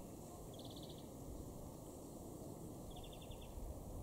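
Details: European greenfinch (Chloris chloris) in a garden in Weener, East Frisia, northwest Germany, in May 2023, gives two brief, rapid, high trills of song about two and a half seconds apart, over a steady low background rumble.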